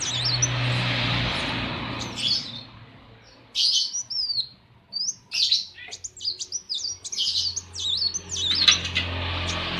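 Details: Kept sunbird (kolibri wulung) singing during the morning at a workshop: high, slurred chirps and twitters, starting faint and building into a busy run, with a low mechanical hum throughout.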